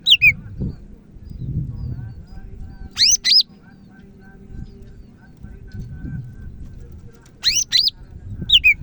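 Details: Greater green leafbird from Medan in lively song: short clusters of loud, steeply rising whistled notes come every few seconds, with falling two-note whistles at the start and end and low rumbling noise between.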